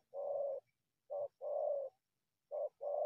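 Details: Repeated low coos of a wild spotted dove drawn from the bushes toward a decoy bird, a long note, then short-long pairs, steady and hoarse-edged.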